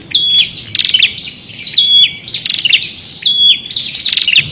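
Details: Short prinia song with rapid buzzy chirps and ringing whistled notes, phrases following one another closely.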